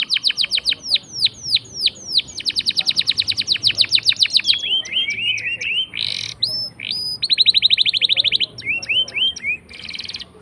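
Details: Canary in full long rolling song, offered as a lure to prompt silent canaries to sing: fast series of high, downward-sweeping notes repeated many times a second, shifting into buzzy twisted phrases and a dense, even trill, all high-pitched.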